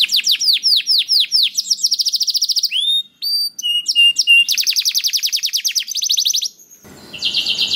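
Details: Canary in full 'gacor' song, used to draw other canaries into singing: cascading downslurred whistles, rapid trills, clipped high whistled notes with brief gaps, more rolling trills, and a closing buzzy phrase after a short pause.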